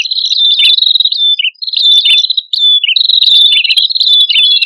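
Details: Energetic prinia song from a male and female pair, used to lure birds: long flat high whistles broken by stuttering, dropping notes, in three busy phrases with short silences between.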